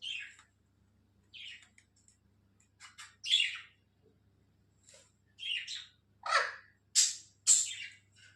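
Alexandrine parakeet giving harsh, screechy squawks in irregular bursts, some rising to loud shrieks, over a faint low hum.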